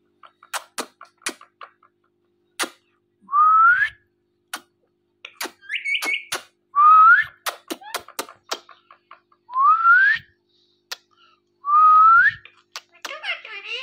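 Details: Indian ringneck parakeet, a pet filmed talking and dancing, giving rising whistled notes roughly every two seconds among sharp clicking and tapping sounds.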